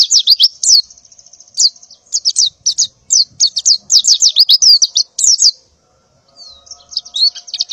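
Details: A breeding-condition female white-eye calls in the morning to attract a male: rapid high descending chirps in clusters, over a thin steady trill, with a short quiet gap near the end.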